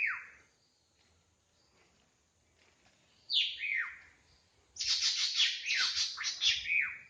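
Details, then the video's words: Drongo heard in the wild: a falling whistled note, then paired descending slurs, followed by a dense stretch of rasping, rapidly repeated buzzy notes closing on a downward whistle. "Suara burung srigunting asli di alam liar gacor"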